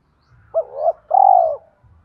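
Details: Lure spotted dove of the 'giọng thổ' voice type, kept to stir wild doves to call: a short hoarse double note followed by one long, smooth, low coo.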